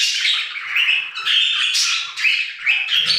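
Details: Budgerigars singing in an aviary: continuous chattering warble of scratchy, buzzy notes and short squawks, with bright higher chirps breaking in every half second or so.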